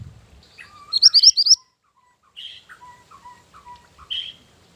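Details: Mantenan gunung singing, a lure and master song for training: a quick run of high rising chirps, then a varied sequence of lower whistled and slurred notes with short pauses, ending in a high thin note.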